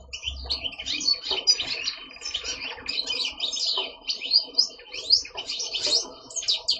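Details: A pet male European goldfinch, kept for breeding with a female linnet and singing all day until dark, gives a fast, unbroken seven-second stream of bright, tinkling twitters and liquid trills, high-pitched and jumbled.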